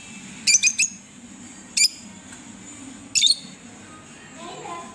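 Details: Green Fischer's lovebirds, a pet pair, utter a quick triple burst of shrill chirps, then a single chirp and a doubled one spaced about a second and a half apart, with a low background hum.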